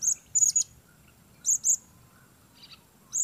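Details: Thin, very high chirps from a blue-crowned hanging parrot in bird-trapping lure use: a quick cluster at the start, a pair after a second, and a final note, with a faint distant chirp between.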